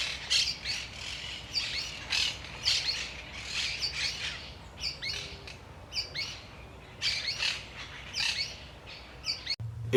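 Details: Sooty-fronted Spinetail song from central South America: short, high, scratchy paired notes repeated at irregular intervals, some phrases harsher and more squawk-like, with a brief low thump near the end.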